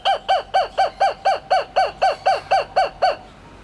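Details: Laughing kookaburra at Hamura Zoo gives a steady run of about twelve harsh, rising-then-falling notes, roughly four per second, then stops.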